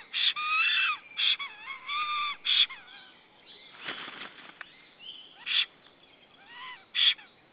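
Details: A Black stork calling at 9:41 am on 17 April 2013: hoarse, wheezy calls mixed with thin rising whistles, in short bursts about a second apart, with a brief rasping rustle midway.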